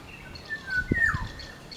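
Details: Wild black-naped oriole, Oriolus chinensis, singing in the wild: a brief clear whistled phrase ending in a liquid downward slur, with a few low dull thumps beneath.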